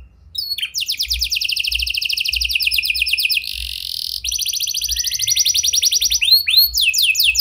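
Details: Canary performing a lure song, prenjak and lovebird style, to make quiet canaries sing: a short opening twitter, then long high, rapid, evenly pulsed trills with a brief break, closing with rising whistled sweeps.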